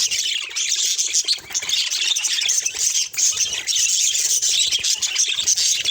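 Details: Steady flock-like chatter of budgerigars, high scratchy warbles and chirps packed closely, with small dips in loudness.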